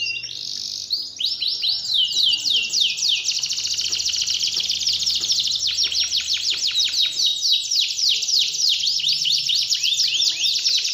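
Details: Canary song meant to coax a reluctant canary back into full song: a long, loud, continuous run of fast buzzy trills and rolling repeated downward-sweeping notes, high-pitched throughout with no other sounds.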